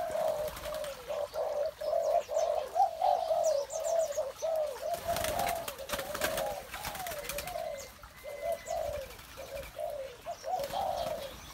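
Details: Spotted doves cooing in the morning: a steady run of deep, burbling coos from several birds, briefly masked midway by a rush of broad noise, with a thin whistle later.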